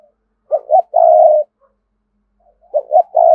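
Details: Decoy spotted dove, used to lure wild doves, cooing: one full phrase of two short hoots and a long husky note, then the start of a second phrase two seconds later.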